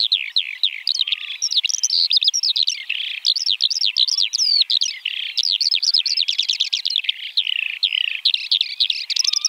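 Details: Eurasian Skylark (Alauda arvensis) delivering a long, breathless song of rapid high chirrups, repeated trilled notes and twitters packed tightly together.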